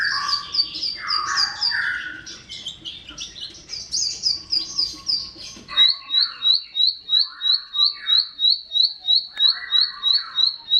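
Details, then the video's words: Bar-winged prinia singing as a training model for caged songbirds: buzzy, scratchy phrases at first, then a quick regular run of high sharp chirps broken by lower buzzy notes. "SUara CIBLEK SAWAH, SI kecil buat Masteran Semua Jenis Burung"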